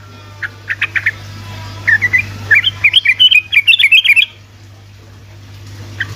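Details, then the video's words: Sooty-headed bulbul in rapid, continuous ropel song, used as bait to make lazy bulbuls sing: a few spaced chirps, then a fast run of bright, jumpy warbled notes lasting about two seconds, over a steady low hum. "Trucuk ropelan GACOR🔥‼️ amunisi untuk burung trucukan malas bunyi otomatis langsung nyaut🔥‼️"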